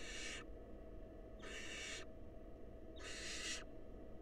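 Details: Wild barn owls in a nest box as the male brings a mouse and the female feeds a nestling. Three rasping, hissy screeches, each roughly half a second long, arrive about every one and a half seconds over a steady low hum.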